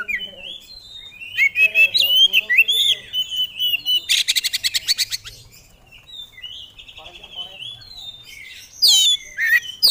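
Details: Oriental magpie-robin, a contest songbird, in vigorous song unloading its fill-in phrases. Rich whistled warbling and a run of quick chopped notes give way to a dry rapid buzzy rattle, then more whistles.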